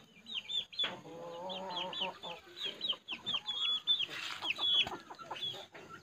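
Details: Puling, a caged bird let loose to play on the ground in a home yard at midday on 6 September 2020, hopping about among chickens; a quick run of short, high, downslurred whistled notes, with hens clucking alongside.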